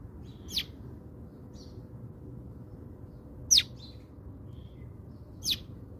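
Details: House sparrows at a food station in South Africa: three short, sharp descending chirps spaced a few seconds apart, over a quiet low background rumble.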